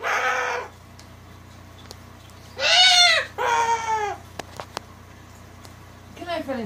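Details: Pet cockatoo being vocal and having fun, barking and teasing: a rough nasal bark, then two loud harsh squawks close together, with faint clicks between and a rising screech at the end over a low steady hum.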